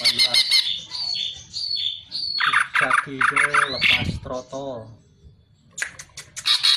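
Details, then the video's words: Greater green leafbird (cucak ijo) song used as training material for songbirds: rapid varied phrases of whistles, slurred notes and harsh buzzy chatter, with pauses between bursts; faint voices in the background. "MASTERAN BURUNG CUCAK IJO"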